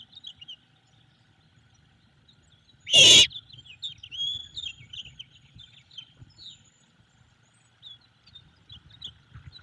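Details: Great horned owl chick begging for food at its nest in Savannah, March: a single strong breathy screech midway, surrounded by lively, scattered high chirps from songbirds.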